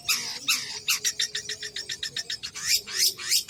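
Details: Long-tailed shrike in full lively song: a fast run of harsh, buzzy, scratchy notes, roughly five per second, loud and continuous throughout, with a faint low hum beneath.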